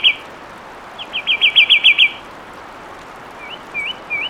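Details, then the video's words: Fulvous wren sings a rapid, fluid trill of evenly spaced notes lasting about a second, then pauses before three upward-slurred whistles near the end, with soft steady hiss behind. "Fulvous Wren Sound"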